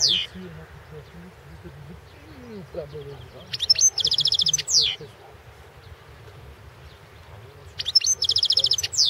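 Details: Competition entry for the 2016 World Championship in Goldfinch Song, a Balkan goldfinch (Carduelis carduelis balcanica). Two high bursts of liquid twitter, each opening with slurred notes and running into a quick metallic trill, separated by about four quiet seconds over low background hum.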